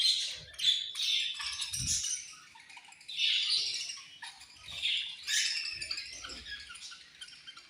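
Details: Flock of budgies chirping around feeding time, with waves of harsh, buzzy warbling chatter that swell and fade every second or two, plus faint low thumps and rustles.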